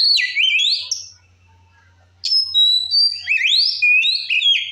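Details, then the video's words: Provoking song of a white-rumped shama (kacer): a burst of swooping whistles, a pause of about a second, then a longer run of high, sliding, varied whistled notes. "Suara Kacer Gacor Ngeplong Ampuh Memancing Emosi Kacer Lain - Pancingan Kacer"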